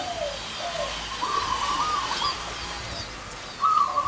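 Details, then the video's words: Several zebra doves with large and small voices gathered at one site, giving bubbling, trilled coos in short phrases, some higher and rolling, others lower and softer, with a brighter trill near the end. "PERKUTUT SUWARA BESAR DAN KECIL NGUMPUL DI LOKASI INI"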